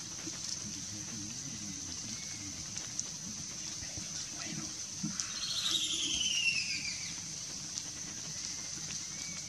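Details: Red-billed Scythebill in Guainía, northeastern Colombian Amazon, giving a brief, high, falling run of whistled notes over a steady insect drone, with faint low voices in the background.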